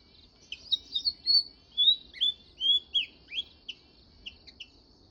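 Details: Sparrow chirping in a run of short, bright chirps and slurred twittering notes, some rising, some falling, clustered over about four seconds, with a steady high faint tone underneath.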